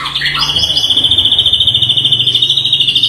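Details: Local Bahorok-type white-rumped shama from Indonesia: a few quick falling whistles, then a long, high, steady buzzing trill pulsing about seven times a second.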